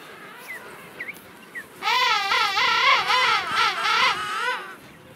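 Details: King penguin in a colony of some 500,000 at Salisbury Plain, South Georgia, gives a loud, harmonic-rich trumpeting call of rapid warbling pulses for about three seconds, after faint chirps from other birds.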